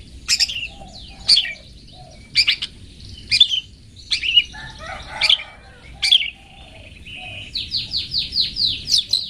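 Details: Long-tailed shrike 'toet toet' song used for tutoring pet birds: loud, sharp whistled notes repeated about once a second, then a fast sequence of rising, ringing slurs near the end.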